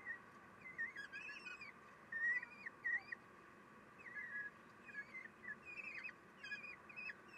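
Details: Common kestrel nest at feeding time, 3 June 2021, 9:12, female feeding her young: high, thin twisting squeals and short chatters come in irregular clusters throughout, set against a constant faint hum.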